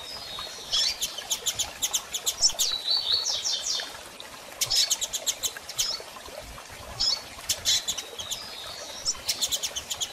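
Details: Female double-collared seedeater calling to stimulate a male to start singing after moult; clusters of rapid high ticking notes and short buzzy slurs, repeated in bursts every few seconds.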